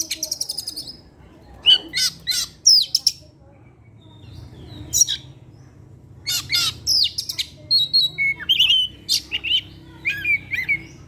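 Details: Caged Oriental magpie-robin singing vigorously in the late afternoon, used as a lure to set other birds singing; loud varied phrases of sharp whistles, buzzy notes and chirps in short bursts separated by brief pauses, with faint low background hum.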